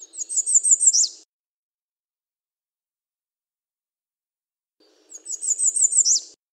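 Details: Two songs from an American redstart, several seconds apart, each a rapid string of five high, slurred notes closing with a sharp downward flourish.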